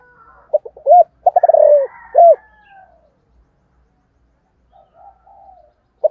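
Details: Morning calling of a spotted dove in the 'giọng thổ cục đình' voice, meant to call wild doves. One low cooing phrase of stuttered notes, rolling purr and end coo, then quiet with faint birds and the start of another coo.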